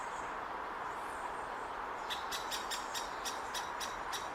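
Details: Great spotted woodpecker chick calling from a nest hole in Hokkaido University Botanic Garden, June 2019, while awaiting its parents' return to feed it; after a quiet start, a fast even series of about ten sharp ticking notes against constant background hiss.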